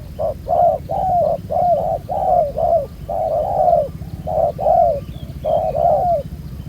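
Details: Spotted dove, a wild-caught black-collared bird noted for cooing well, calling in a ground-decoy trapping setting. Soft low coos come in clipped and drawn-out notes, steady and repetitive.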